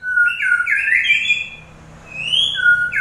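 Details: White-rumped shama sings sweet drawn-out whistles, wavering and overlapping, then a pause and another rising whistle ending on a clear lower note.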